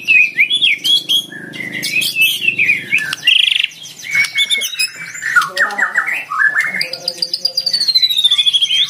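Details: Oriental magpie-robin, caged fighter type, luring a rival with vigorous song: squawky phrases, fast whistled notes and a closing run of rapid repeated trills.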